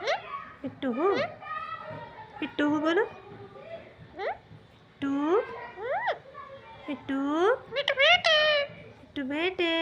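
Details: Green talking parrot chattering nonstop in imitation of human speech, a stream of shrill word-like phrases with rising and falling inflections in short bursts, quite loud and close.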